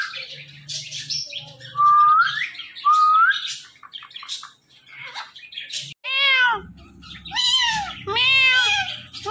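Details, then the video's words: Talking pet parrot giving two rising whistles, then harsh, harmonic-rich squawking calls in quick bursts, with a low hum in the background. "this Parrot talking are non stoppable"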